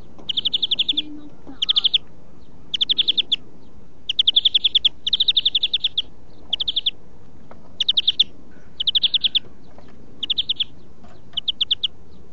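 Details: European greenfinch song for song training: steady sequence of rapid trills, each a tight run of repeated notes lasting under a second, following one another every second or so with short gaps, over quiet background.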